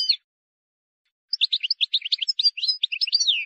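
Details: Wild European goldfinch singing a flawless song used to tutor young goldfinches: after a brief opening note and a pause, a fast run of twittering, tinkling high notes with slurred downward whistles, clean background.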